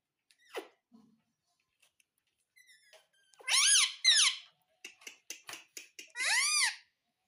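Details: Pet parrot at home, talking with words such as "mitthu" and "tota": soft scattered clicks and short notes, then two loud, harmonic, arching squawk-like utterances mid-clip and another near the end, with brief clicky syllables between, in a quiet room.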